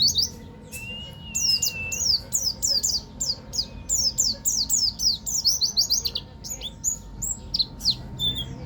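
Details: Banten local buktoni white-eye singing ngeroll tembak, a rolling shooting style: one long wavering whistle, then an extended, steady stream of crisp, high, downward-slurred notes about three per second, loosening into scattered chirps near the end.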